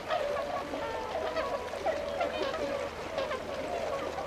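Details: Tundra swans at Otakarada pond in Azumino, Nagano Prefecture, recorded February 2013 as they fly out to feed in rice fields; soft continuous honking chorus with brief clearer bugled notes, fairly quiet overall.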